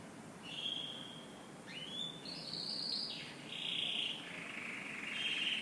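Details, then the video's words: A canary singing in the morning: clear, sustained whistled notes and trills, some level and some sliding upward, linked in a flowing phrase over a soft background hiss. "Canary Morning Singing"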